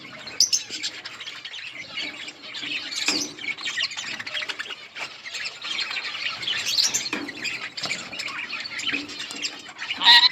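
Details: Budgies in a colony chatter continuously, a busy mix of warbled twitters and thin chirps from many birds, with a few louder squeaky notes near the end.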